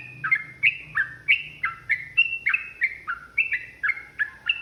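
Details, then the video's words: Yellow-vented bulbul in long, rapid fighting song: bubbly slurred notes alternating high and low, about three per second, each dropping in pitch, over a faint low hum. "TRUCUKAN GACOR ROPEL PANJANG | Pancingan AMPUH Burung Trucukan agar bunyi jadikan EMOSI"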